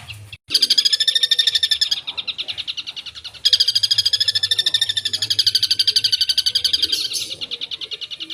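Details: Long-tailed shrike in full energetic song laden with filler phrases: two long bouts of fast, harsh, buzzy rattling notes, several per second, separated by a short pause, with a faint low hum.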